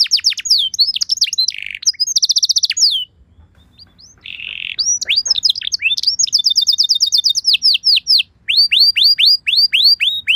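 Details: Canary lure song for prompting other canaries: bursts of rapid swept trills broken by two brief pauses with a buzzy note, then steady runs of fast repeated downslurred whistles and separate descending notes, sung loudly without background noise.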